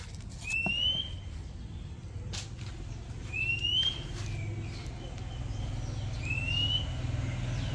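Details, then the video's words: Oriental Magpie Robin in a Thai village near houses: three thin, rising whistles spaced about three seconds apart, with faint clicks and a low background hum. "นกกางเขนบ้าน Oriental Magpie Robin"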